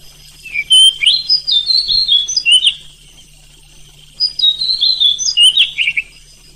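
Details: Night-time oriental magpie-robin song meant to provoke other magpie-robins into singing: two loud bursts of sweet, high whistled phrases and twittering trills, separated by a pause of about a second and a half, over a faint steady hum.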